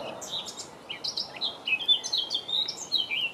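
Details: A Eurasian blackcap, recorded in May 2018, sings a rich, fluty warble of quick, varied high notes, rising and falling without a fixed pattern, over a soft background hiss.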